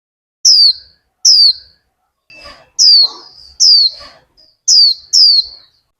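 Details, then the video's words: Caged female Warbling white-eye in Vietnam calling to get the male singing. High, falling chirps come in pairs, with soft rustling or scraping between them. "Khuyên mái kích thích chim trống líu!"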